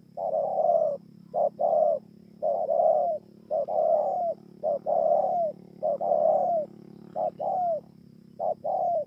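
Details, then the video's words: Spotted dove in Kon Tum, Vietnam, recorded 28 November 2017, cooing continuously: a long run of short and drawn-out hollow notes, the longer ones dipping at their ends, rhythmically repeated with a low background drone. "CU GÁY PHƯƠNG QUÝ -KON TUM"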